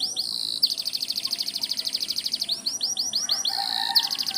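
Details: Canary singing in the morning, said to be calling the rain: a fast run of repeated high, rapid trilled notes and rising sweeps, shifting between trill phrases, with a faint lower chatter near the end.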